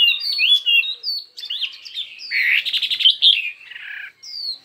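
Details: A Chinese hwamei sings in a contest of many voices: quick varied whistles, then a buzzy, rattling burst in the middle, a lower churring phrase, and a final high falling whistle.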